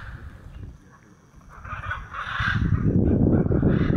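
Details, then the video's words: Hyacinth macaws, a flock turning a tree blue at Jaguar Camp, Pantanal, Brazil, 5 July 2019, give loud, harsh, honking squawks in a short burst, partly masked by heavy low wind or handling rumble. "Hyacinth Macaws..."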